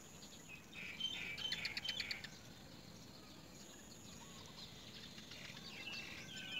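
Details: Great myna at its nest: a burst of harsh, chattering chirps in the upper range, packed together for about a second, then quieter scattered notes over steady outdoor background noise.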